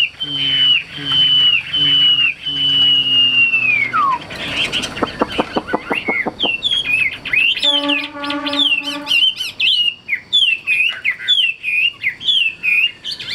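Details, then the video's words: Caged, tame Hwamei with an eagle-wing display, singing: several long, level whistles that drop sharply at the end, then a burst of dry rapid clicks, a buzzy harmonic stretch, and quick slurred whistles. "HM 1473 - BÊN PHẢI - CHIM THUẦN CHƠI CÁNH ĐẠI BÀNG - HÓT TỐT"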